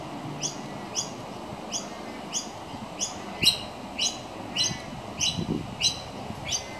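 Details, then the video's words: Young pied butcherbird fed minced beef by its mother on a veranda railing; sharp, high, clipped chirps come at a fairly steady pace, about one and a half per second, some louder and doubled, over faint low background hum. "Baby Pied Butcherbird Being Fed"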